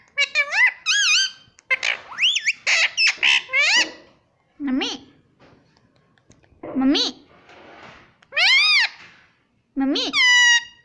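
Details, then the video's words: Pet ring-necked parakeet calling 'mummy' over and over: quick runs of harmonic word-like syllables, then spaced loud two-part bursts rising in pitch, with quiet pauses between. "Indian parrot talking"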